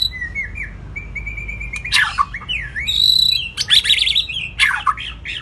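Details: White-rumped shama giving a long-phrased song, used to spur a weak bird into singing: soft thin whistles at first, then loud sweeping and downslurred whistles, a steady high note, and rich varied warbled phrases near the end.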